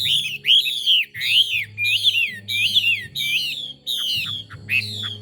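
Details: Chinese hwamei singing: a string of about eight loud, ringing whistled phrases, each sliding up then sharply down, repeated roughly every two-thirds of a second over a steady low hum.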